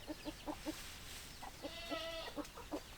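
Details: Chickens, hens clucking: short repeated low clucks in quick pairs, then a longer drawn-out tonal call and more clucks, over steady background noise.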